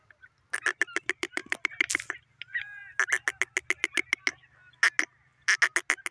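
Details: Francolin (teetar) kept as a pet, giving harsh, rapid pulsed notes in fast bursts, with several runs of loud repeated clucks separated by short pauses and a brief softer chattering passage near the middle.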